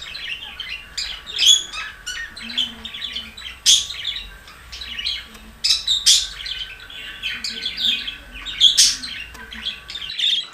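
Budgerigars, male and female, chatter nonstop in bright warbles, clicks and sharp chirps.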